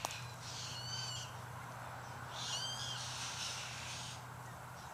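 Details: White-winged choughs in a flock of about 60 or 70 birds that had just eaten a kangaroo and were acting strangely. Two harsh, grating bursts carry thin whistled overtones, over a steady low hum.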